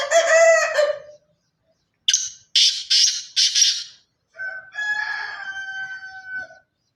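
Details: Pure Sindhi black francolin of the Sindhi chirki line gives four harsh, scratchy notes in a run. It sits between two loud, tonal rooster crows, one before and one after.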